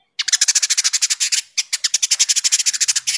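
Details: Village indigobird in sharp, dense chatter: a fast run of harsh, scratchy pulses, with a short break after the first one and a half seconds, then the run continues just as quickly.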